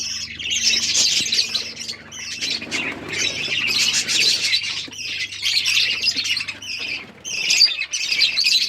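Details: Several pet finches chirping while eating their favourite egg food: dense, high, overlapping chirps and squawks in bursts, with brief pauses near two and seven seconds and faint low hum underneath.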